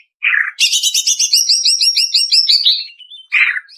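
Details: Female greater green leafbird heard as training lure for cage birds: a short buzzy note, then a long even series of about fifteen quick slurred chirps falling away into a thin whistle, and a final buzzy note.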